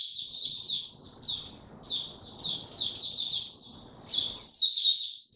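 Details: Captive white-eye, no health supplements, recorded 29 April 2022: spaced bursts of high chirped notes, then a loud, rapid rising flourish of sharp whistles near the end, over a faint low background.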